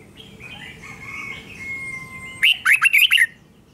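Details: Red-whiskered bulbul model song for young birds: after faint whistles and a steady tone, one loud rapid phrase of bright, jumpy warbled notes near the end.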